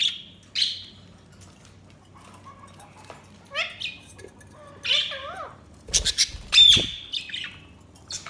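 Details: Budgerigar chatter: scratchy high chirps mixed with lower warbled, wavering notes and a few sharp clicks and knocks.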